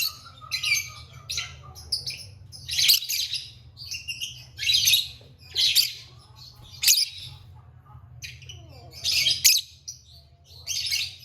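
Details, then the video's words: Pet lovebird chirping and singing: bursts of shrill, high squawky chirps and scratchy notes in irregular clusters about every second, with quieter twittering between them and a low background hum. "Lovebird Singing & Chirping Sounds"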